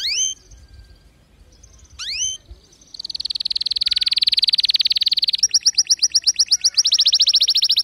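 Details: Canary song meant for teaching weak or silent canaries to sing: two sharp upward-sweeping notes, then long fast rolling trills of rapidly repeated high notes, shifting pitch partway through.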